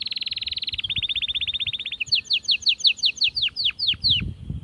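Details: Atlantic canary singing to stir females toward mating: a fast, even trill that drops slightly in pitch, then a series of rhythmic sweeping chirps repeated about four per second.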